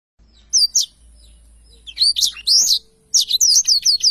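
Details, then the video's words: Black-throated canary singing energetically as a tutor recording for training songbirds: short bursts of high chirps and sweeping whistles after a quiet start, a brief pause, then quick bright notes, over a faint low hum. "blacktroath gacor cocok untuk masteran"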